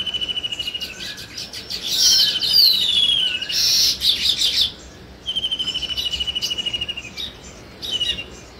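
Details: Weaver birds building a nest; rapid high ticking chatter trains about two seconds long, sliding slightly downward, with a loud wheezy burst in between, then another ticking run and scattered sharp chirps.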